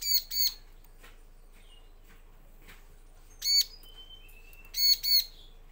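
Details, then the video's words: Bar-winged prinia lure recording meant to make males and females answer: paired harsh chirps at the start, then more two-note bursts after quiet gaps, with a brief thin whistle between them. "Pancingan suara ciblek agar gacor jantan betina langsung nyaut"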